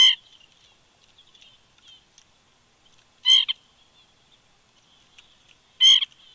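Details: Near an eagle nest at Big Bear in the morning, a woodpecker gives three short, rasping, nasal calls spaced roughly 2.7 seconds apart. Faint, quiet twittering fills the gaps.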